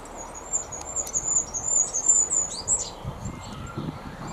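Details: A Goldcrest in a garden, feeding unusually on the ground, sings (song rather than call) a very high, thin run of rapid tinkling notes ending in a brief flourish, over a soft low rumble; another Goldcrest calls across the garden.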